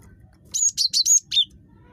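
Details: Chattery cinereous tit (gelatik batu) calling to lure other tits into sound: five quick, high, piercing whistled notes, the last one slightly lower and drawn out, with a soft low hum behind.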